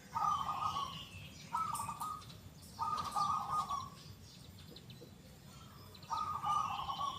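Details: Zebra dove, a local perkutut in steady song, with a big, clear, loud 'kung' voice. It makes four purring, trilled coos with a pause before the last. Distant chirping birds sound faintly in the background.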